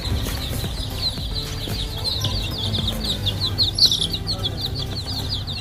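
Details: Baby hens, a group of chicks playing around eggs, peep constantly in shrill, short, downward-slurred chirps packed tightly together, with a low background hum and faint tonal sounds.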